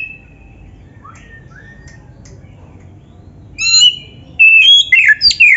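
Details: Oriental magpie-robin training song: a few soft thin whistles and slurs over faint background hiss, then a sudden loud burst of rich, varied whistled phrases in the final two seconds.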